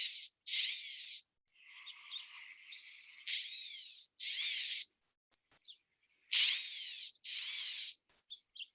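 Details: A Coastal California Gnatcatcher, an endangered bird of coastal sage scrub, gives harsh, buzzy, cat-like mews, each about half a second long, in loose pairs with faint scratchy notes between.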